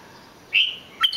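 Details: Red-whiskered bulbul producing two brief notes: a bright whistle that slides slightly downward, then a sharp, quick chirp-like note a half second later.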